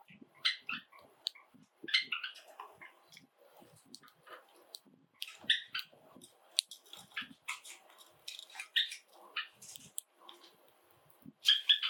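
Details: A household flock of seven Java sparrows chirping and singing. Dense runs of high clicking, chirping notes build into busy bursts. Short gaps separate them, over a quiet indoor background.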